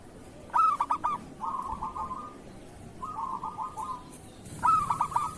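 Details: Local zebra dove in the kerot style, played to train other doves to sing. Stuttering coo bursts at the start and end, with soft rolling trills between them.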